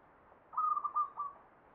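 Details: Zebra dove in the Javanese ngepat song style of the Mataram Jogja standard: a brief phrase of four or five clipped, mid-pitched cooing notes in quick succession over a quiet background.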